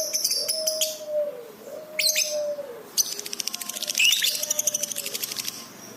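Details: Lovebird on a masteran recording made to train pet birds: scattered high chirps over a long, level whistled tone, then a burst of rapid, buzzy pulsed chatter in the final half.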